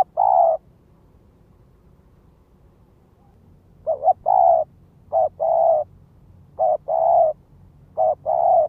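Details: Spotted dove lure calling in a fast run: after a pause, four phrases in quick succession, each a short note or double note followed by a longer mellow coo.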